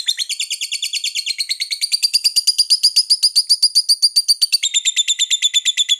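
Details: Lovebird giving a long rapid trill, a steady train of sharp high chirps about four per second, the notes rising slightly in pitch partway through and stepping down near the end; no other sounds.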